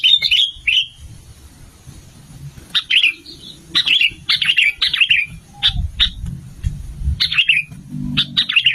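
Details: Sooty-headed bulbul, male and female, song used as a lure to attract wild birds: short bright chirpy notes with sharply falling, slurred phrases, given in loose bursts separated by pauses, over a low rumbling background.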